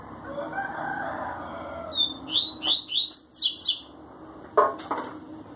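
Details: Rusty-collared seedeater (coleiro) singing the tui tui zel zel song style: after a short thin note, a fast run of about eight sharp, high, descending chipped notes, with a clattering thump and background murmur.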